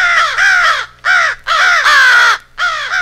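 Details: Compiled American crow rally calls imitating a fight with an owl: three to four long, grating caws, each slightly falling in pitch, broken by short silences.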